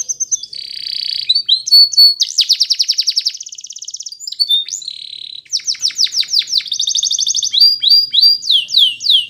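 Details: Canary training song with varied phrases: held whistles, fast trills, buzzy rolls and rapid series of sweeping notes, loud and high with no background noise.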